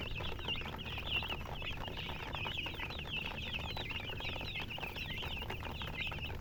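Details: Baby chicks chirping steadily, a dense chorus of high, rapid peeping notes overlapping continuously with no pause, over a low rumbling background hum.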